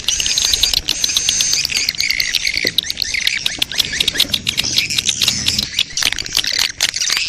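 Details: Lure sound for drawing swiftlets, busy overlapping chatter of high squeaky chirps and clicking twitters, with steady tonal whistles early on and rapid repeated notes throughout.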